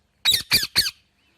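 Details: Indian ringneck parakeet giving three harsh, loud squawks in quick succession, each about a fifth of a second long, followed by silence.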